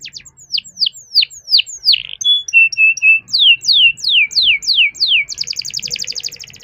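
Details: Canary singing hard in a long rolling song meant to prompt other canaries: repeated sweeping downslurred whistles, a few short steady notes, more descending slurs, then a dense rattling trill at the end.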